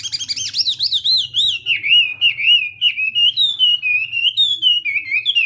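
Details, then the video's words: Hwamei practising its morning song: loud, rich whistled phrases that swoop up and down, starting high and gradually settling lower, with short pauses between the rolling notes. "Hoạ Mi Hót Đấu /hoạ mi hót sáng luyện giọng"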